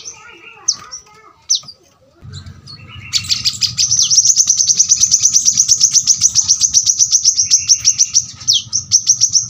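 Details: Brown-throated sunbird singing a dense, very sharp rapid-fire song for tutoring birds: a few scattered high whistles at first, then a long fast trill of shrill repeated notes over a low hum, ending with a downslurred whistle.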